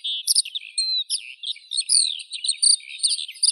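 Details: High, liquid warbling from a Eurasian skylark, with rising and falling whistled notes and brief buzzy trills strung together without a break.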